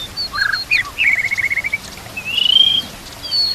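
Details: White-rumped shama song used to train other shamas, with canary-style fills and a trickling-water background: high thin whistles, a short buzzy note, a rapid rattled trill, then a drawn-out warbled phrase.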